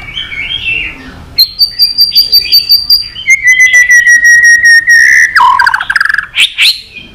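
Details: White-rumped shama singing a long song to incite fighting, with drawn-out pulsed trills on steady pitches, a falling trill, then brief varied whistles.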